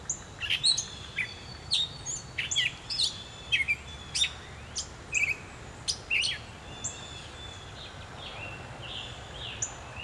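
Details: Gray catbird at dawn, July, Pennsylvania, pouring out a rambling song of rapid, varied phrases: sharp chips, squeaky slurs and mewing notes, about two per second for seven seconds, then quieter, softer notes over a low background hiss.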